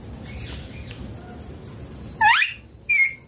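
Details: Ringneck green parrot kept as a pet, eating chilli: after quiet, two sharp calls come close together, the first a quick upward sweep, the second a shorter bright squeak.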